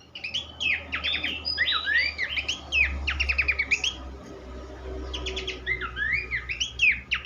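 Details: Horsfield's babbler singing as tutor material for songbirds: lively stream of rapid, slurred whistles and downward sweeps in repeated clusters, with a noticeable low droning hum underneath.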